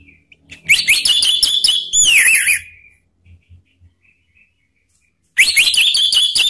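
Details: Lure song of a male orange-headed thrush, played to draw other birds into singing and to restart birds that have gone quiet: rapid, rich whistled warbling with sliding notes, a two-second burst, a pause, then another burst.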